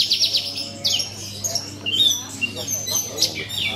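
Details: A Horsfield's bush lark at an Indonesian songbird contest pours out a fast, high jumble of twittering chirps and sharp, varied whistled phrases with hardly a pause; faint voices murmur in the background.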